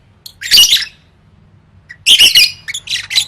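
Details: Lovebird singing as a competition training recording: two loud bursts of raspy, high chattering squawks about a second and a half apart, with quiet gaps and a soft low hum in the background.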